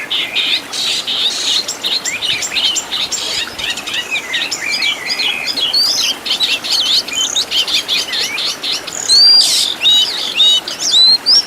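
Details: Long Oriental magpie-robin master song for teaching caged birds, 'isian tembakan' style: dense scratchy chattering and mimicked fragments, then toward the end loud clear ringing whistled upslurs repeated several times.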